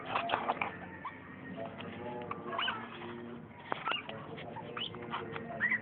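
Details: Long-tailed shrike in full song: a dense, nonstop chattering run of varied scratchy notes, short whistles and rising slurs, with a steady low hum beneath.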